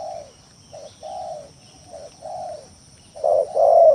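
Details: Spotted dove lure song, used to goad rival or lazy doves into calling: low hollow coos, some short and clipped, others drawn out, ending in two louder, stronger coo notes, with faint hiss behind.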